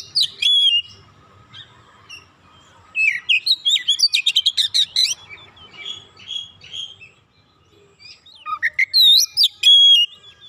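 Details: Oriental magpie-robin (kacer) roused by provocation, pouring out its learned fill song (isian): clear whistled phrases, a fast series of sharp repeated chips, softer warbling, then strong up-slurred whistles near the end.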